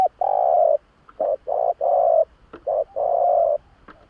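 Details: Spotted dove lure cooing, a run of low mellow coos alternating short and long notes with brief gaps, plus a couple of faint clicks.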